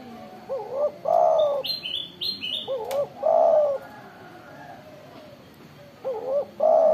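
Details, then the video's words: Zebra dove (tekukur) calling loudly, a prized strong-voiced bird: rolling, bubbling coos around middle pitch, phrases repeated in quick succession, with a few brief high chirps from another bird in between. "tekukur gacor suara besar"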